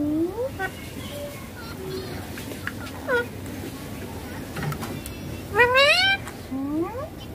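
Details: Ringneck green parrot (rose-ringed parakeet) playing on a mobile and talking: soft rising syllables early, a brief note mid-way, then a loud wavering harmonic phrase and a final rising glide, with background murmur.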